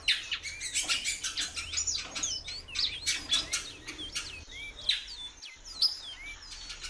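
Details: Female great-billed seed-finch calling repeatedly: thin curved whistles, some rising and some falling, mixed with rapid clicky chirping and ticking throughout.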